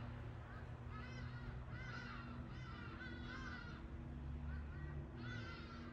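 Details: Hadada ibis calling: a run of loud, raspy, nasal honking notes close together, with a pause before a final call, against constant low-pitched background noise.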